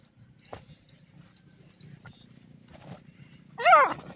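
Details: Dakhni teetar, a partridge, calling: after near-quiet broken by faint clicks, one loud, harsh note near the end, rich in overtones and wavering in pitch, lasting about a third of a second over a low steady hum.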